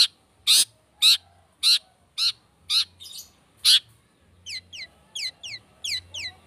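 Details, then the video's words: Long-tailed shrike song used as a lure to provoke singing: loud, harsh, grating blasts about twice a second, followed by a run of quicker, thinner down-slurred chirps. "Cendet Speed rapet - PANCINGAN CENDET"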